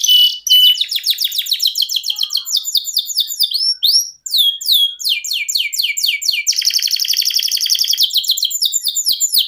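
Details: Domestic canary singing a long 'ngerol sejalur' rolling song: a fast, varied run of high chirps and buzzy rolled trills at about two per second, ending in a dense continuous roll, with no other sounds.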